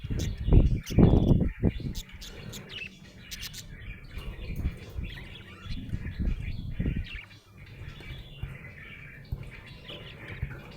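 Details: Happy budgerigar chattering: rapid, uneven chirps and warbles repeated about twice a second for ten seconds. Loud low bumps in the first two seconds, then a quieter low rumble.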